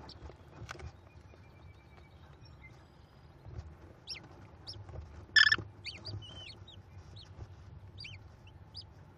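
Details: Five American kestrel chicks in a Cornell nest during a feeding by their mother, May 2021: quiet, scattered high chirps and squeaks, with one loud harsh squeal partway through.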